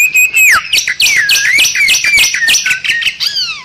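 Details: Bali myna singing as a training recording for other cage songbirds: a loud, fast series of falling whistles and harsh, metallic notes repeated several times a second, with no other clear sounds.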